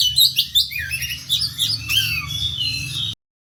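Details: Oriental magpie-robin giving a fighting song used as a lure: about three seconds of quick, irregular high chirps and slurred whistles with a low background hum, then abrupt silence.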